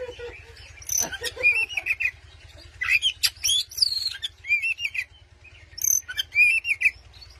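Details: Oriental magpie-robin song meant to provoke a rival: scratchy chirps then clear wavering whistles, repeated in phrases about every second, with a constant low hum underneath.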